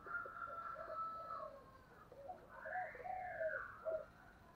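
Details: Spotted dove in the 'giọng thổ' voice style, calling in an intense 'thúc' bout: low hoarse coo notes in a broken series, with a higher drawn-out overtone band and a faint room hum.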